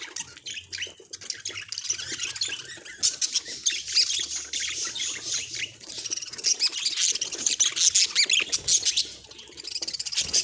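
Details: A contented budgerigar keeps up a busy, continuous warble of rapid scratchy chirps and squawks, quieter at first and then swelling into louder, denser chatter toward the end.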